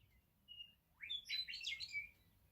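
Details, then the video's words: Meadowlark singing in the morning: one short, rich song phrase of clear, slurred whistles that sweep up and then tumble down in a quick burst, with a faint thin whistle just before it. "Sounds of Meadowlarks in the morning!"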